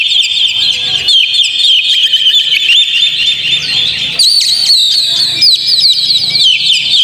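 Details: Singing Oriental magpie-robin used to goad others into song: rapid whistled phrases and scratchy trills, growing denser and brighter after a brief break halfway.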